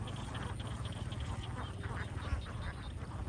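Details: Huge crowd of young farm ducks in Vietnam calling together: a steady, busy murmur of short overlapping quacks, rough and low, running through the whole stretch with a deep background rumble.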